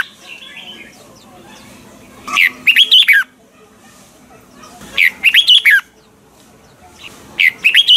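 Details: Double-note, mature wild-style song of a Red-whiskered bulbul, meant for training birds to sing: loud, tumbling whistled phrases repeated roughly every two and a half seconds, three in all.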